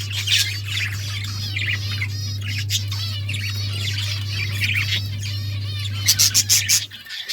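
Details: Budgerigars, Australian parrots kept as pets, warble in a steady stream of wavy chirps and squeaks, ending with a fast run of sharp clicks, over a loud constant hum.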